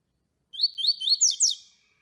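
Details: Tui tui song of a double-collared seedeater, a style used to warm up and tutor other seedeaters: a rapid run of bright, high slurred notes sweeping up and down, about five syllables in just over a second, ending in a thin trailing tone.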